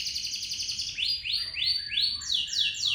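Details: Local canary whose long roll serves as a lure: a quick high trill gives way to slower, louder descending swooping whistles, each about a third of a second apart.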